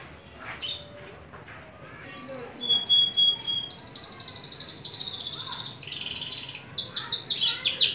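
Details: Persian canary singing: a few faint notes, then a steady high whistle, short repeated notes, and fast trilled phrases of rapidly repeated high notes, some descending, getting louder toward the end.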